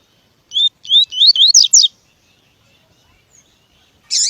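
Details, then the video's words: Tui tui style song of a double-collared seedeater, used for training and stimulating other males, with a female call also present in the recording: a rapid run of about six rising whistled notes, a pause, then one harsh buzzy note. "CANTO DO COLEIRO TUI TUI PERFEITO PARA TREINAMENTO DE PAPA CAPIM ESQUENTAR COLEIRO TUI TUI"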